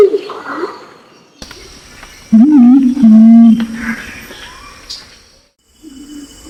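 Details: Pinon's imperial pigeon lure call, male and female, from Nabire, Papua, Indonesia, used to draw birds in: a loud, low, wavering hum, then a flatter sustained note of about a second, with faint background hiss.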